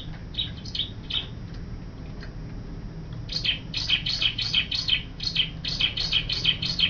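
Bar-winged prinia giving high, sharp chirped notes, a few scattered at first, then a fast run of about three per second over low background hum.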